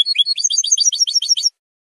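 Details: European goldfinch song used to claim territory and attract females, a quick run of bright, high tinkling and twittering notes lasting about a second and a half before stopping.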